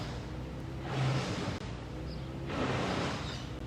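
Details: Two broad whooshing swells over a low hum, like passing air or wind, without any animal call.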